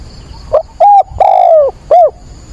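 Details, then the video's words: Spotted dove decoy calling at sunrise on 22 October to stir wild doves; one close, loud phrase: a soft hoarse opener, a level coo, a long slowly falling coo and a short arched closing note. "Cu mồi gáy gọi, bình minh kích bổi luyện bổi"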